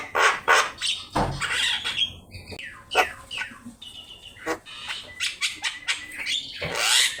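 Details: Javan myna (jalak kebo) master recording for teaching birds to sing, in gacor style: loud grating squawks mixed with thin whistles and squeaky chatter, a harsh rasping burst at the start and end, steady low background hiss.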